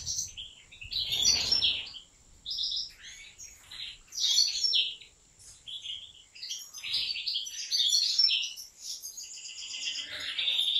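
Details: Caged European goldfinch in a large aviary of professional breeders, singing bright, liquid twittering phrases of quick high chirps and trills in short bursts, with a steady faint hiss behind.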